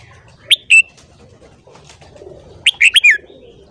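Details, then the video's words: A red-whiskered bulbul sings a bright, liquid morning phrase: two clear notes, a pause, then a quick rolling burst of four warbled notes, over a faint background murmur. "Luyện giọng chào mào hót sáng .kích giọng chào mào hót hay"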